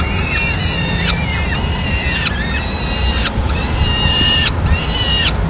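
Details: Peregrine falcons in Madrid, April 2016; the male keeps watch, then the female comes in with a pigeon and feeds the chicks. Series of harsh, wavering cries with downward-sweeping ends, some overlapping, over constant low-pitched background noise.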